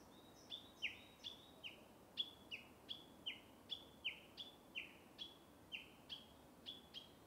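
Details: Japanese bush warbler in a bamboo forest giving a steady run of short high falling notes, some paired, repeated roughly twice a second, with soft background hiss.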